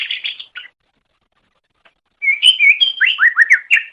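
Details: A brief chattering phrase from a green leafbird (cucak ijo), then silence, then a quick series of clear downslurred whistles repeated about four times a second. Recorded for training other birds.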